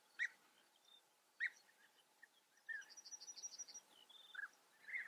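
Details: European bee-eater in the Eifel, Germany: a few separate, short, liquid, rolling calls spaced about a second apart, with a thin, fast, high trill from another bird in the middle.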